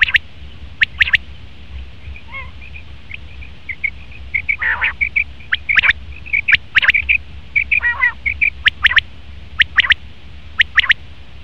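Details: Male common quail: crisp clipped double and triple notes repeated about once a second, interspersed with high dotted chatter and a couple of buzzy, ringing calls.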